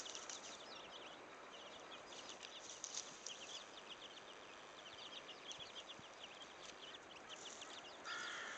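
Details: A hen leads her chicks out to search for food, and a flock of young chickens keeps up constant high-pitched peeping. The short, downward-slurred cheeps overlap irregularly over a hissing outdoor background, with a brief louder sound near the end.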